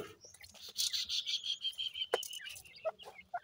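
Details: Grey francolin (teetar) chicks on a farm, calling their mother: a thin, high whistled peeping held almost steady for about two seconds, then short scattered chirps, with faint background rustling.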